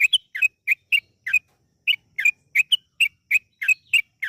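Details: Yellow-vented bulbul song meant to coax other bulbuls into singing: crisp, ringing chirps, some rising and some falling, delivered in pairs and short clusters with a half-second gap midway.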